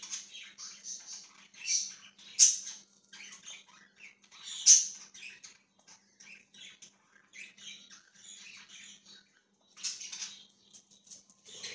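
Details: Budgerigar, recorded January 20, 2023, chirping in a busy, continuous stream of scratchy high twitters and squeaks, with a few louder sharp peaks and a faint steady low hum.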